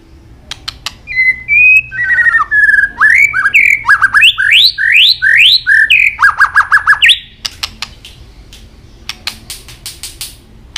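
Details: White-rumped shama fighting song: sharp clicks, then long varied whistled phrases with rapid rising slurs repeated about twice a second, ending in a high rising note and a burst of tak clicks.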